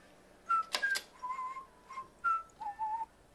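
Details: A pet carrion crow in a quiet room gives a quick run of short, clear whistled "wa-wa" notes mixed with dry clicks and rattles, about six sounds in three seconds, seemingly in a good mood; crow.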